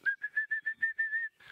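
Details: Orange-breasted bush-shrike giving its "coffee-tea-or-me" call at sunrise on 10 November 2016, in a riverside stretch of big jackalberry trees: about eight clear, even whistled notes repeated quickly at a steady pitch, with a faint murmur at the end.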